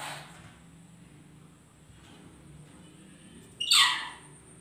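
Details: One of a pair of lories sitting together lets out a single loud, harsh, raspy screech near the end, after several seconds of near quiet with a faint low hum and a thin high whine.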